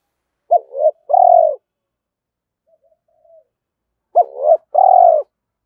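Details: A spotted dove's coo used to rouse a decoy bird, "thổ" voice style: two phrases, each a quick hooked note and a longer level coo, separated by a few seconds of near silence.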